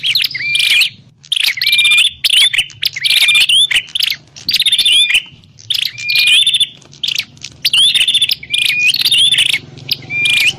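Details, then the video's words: Prinia (Javanese prenjak klawu) call intended for trapping lures; dense chattering bursts laced with short whistled slurs, uttered continuously in irregular clusters with little pause. "Suwara Burung Prenjak_klawu Buwat_Mikat"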